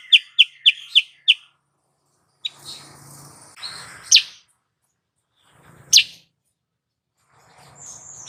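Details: Female sooty-headed bulbul calling to attract males and heighten their breeding drive. Five quick bright chips open, followed by a few isolated sharp notes over a soft hum and rustling.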